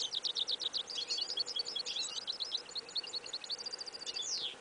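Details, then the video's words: Goldfinch and yellow isabella canary hybrid singing outdoors in a field in winter, 11 January 2015, incomplete song: a continuous stream of high, rapid chirps and twitters with short trills, ending in a descending slurred note. "Прослушка гибрида щегла"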